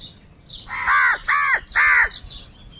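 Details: Crows from a large flock calling, with three loud harsh caws in quick succession, each a rasping, slightly downward-bending cry, while fainter chirps from other birds sound behind them.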